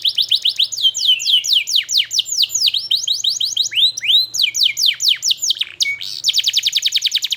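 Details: Long chirping canary song played as a lure for young canaries learning their notes: quick descending whistled sweeps, looping rising phrases, a short pure tone, then a fast even buzzy trill.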